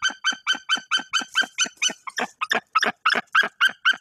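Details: White-tailed eagle female incubating eggs on her nest in Bory Tucholskie, calling to drive off an unidentified intruder perched on the nest tree above her. Loud, rapid series of harsh yelping notes, about four per second, steady and evenly spaced throughout.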